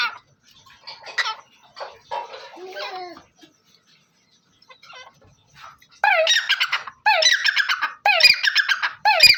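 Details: Scattered soft clucks and rustling notes give way after six seconds to loud, grating black francolin calls (local name Dakhni or Bholla teetar), three rasping bursts with sharp rising strokes about a second apart.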